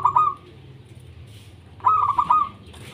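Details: Zebra dove song of local stock, meant to prompt quiet doves to sing: two quick staccato cooing bursts, the second a longer run of clipped notes, separated by a pause over a faint low hum.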